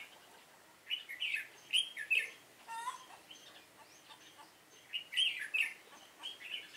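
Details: Red-whiskered bulbul singing as a decoy during trapping, dated 7 September 2018 in Vietnam: bright, sharp chirped phrases in bursts, with a brief harsh rattling note between them over steady background hiss.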